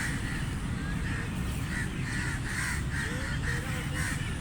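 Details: Crows feeding, uttering a quick sequence of throaty caws in even rhythm, backed by a low continuous rumble.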